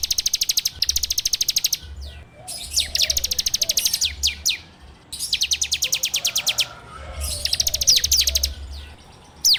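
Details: Rapid ngebrem song of a bar-winged prinia, used as a lure to train birds and recorded on an Android phone. Long machine-gun bursts of very high clipped notes, roughly three per second, are broken by brief gaps and stray chirps.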